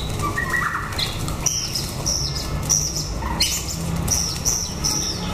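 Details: Captive chocolate-colour male white-rumped shama brought to a young female for pairing, too tense so she was separated; clear whistled notes and short high sweeps with sharp clicks over a steady low hum.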